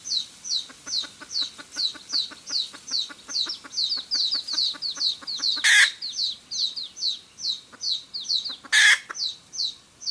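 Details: Wild red junglefowl hen cackling, played to lure birds for trapping: a fast run of short clucking notes at about two per second, broken by two loud rasping squawks, with high thin chirps overhead.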